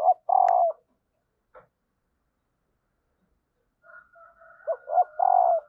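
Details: {'caption': 'Spotted dove hen, her call played to encourage males to coo: a long throbbing coo, a silent gap, then quick rising coos and another long coo, with a steady high thin tone running beneath.'}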